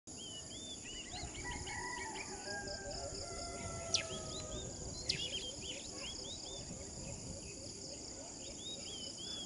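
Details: A white-morph Philippine coucal gives a long series of deep, hollow hooting notes in quick succession, set against chattering small birds and a steady high insect drone.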